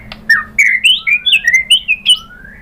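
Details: Short burst of white-rumped shama song used as a provocation for other birds: clear, fast whistled notes stepping upward, with a fainter thin whistle underneath.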